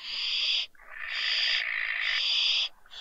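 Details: Pair of barn owl owlets down from a balcony at the Riet Vell reserve, Ebro Delta, Spain, late December, uttering long overlapping wheezy screeches that run almost continuously with brief gaps.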